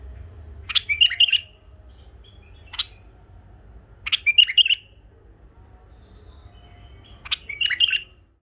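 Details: Tame bulbuls, a male and two females, repeat a lively chirping phrase roughly every three seconds, the bright whistled notes bunched in tight bursts with a short single note between.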